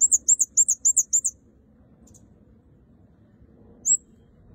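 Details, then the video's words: Red-headed kemade in full voice: a rapid run of about eight very high, sharp chirps packed into just over a second, then quiet, then one more isolated high note; a low hum sits underneath. "Burung Kemade Kepala Merah Gacor"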